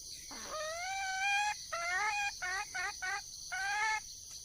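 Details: A wild junglefowl hen calls for a mate with long, nasal, rising harmonic notes broken by quicker shorter clucks, loud and close, with a constant high buzzing drone in the background.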